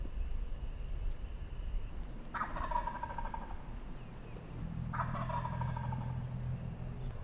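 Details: Wild turkey gobbler in Tennessee on the opening day of turkey season, gobbling before daylight: two loud rattling gobbles about three seconds apart over a low rumbling background.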